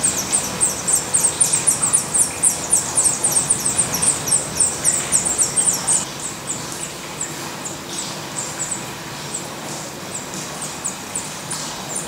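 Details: Black redstart (Phoenicurus ochruros) at a nest with young in Portugal: thin, very high, sibilant calls about three to four a second, loud for six seconds then fainter over a soft hiss.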